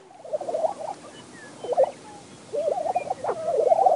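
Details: Lesser Prairie Chickens clucking in Donley County, Texas, where they are sparse; bubbling, gobbling phrases come in bursts separated by quiet gaps, and a faint high whistle from another bird is heard in the background.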